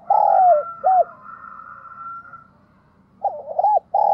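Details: Spotted dove kept as a decoy, cooing: a long hollow note and a short coo, a quiet stretch with a faint steady hum, then a quick triple coo and one sustained note.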